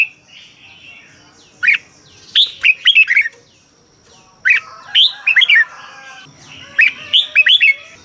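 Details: Red-whiskered bulbul song from Thailand, played to stir caged birds: three separate phrases of rapid, bright, downward-sweeping whistles, each four to six notes long, with quiet pauses between and a faint steady high hum behind.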